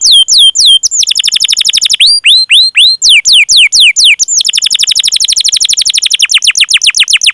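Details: ["Long 'ngerol' rolling song of a domestic canary, used to coax young or silent canaries into singing; bright falling whistles lead into a fast rapidly repeated high trill that grows denser toward the end."]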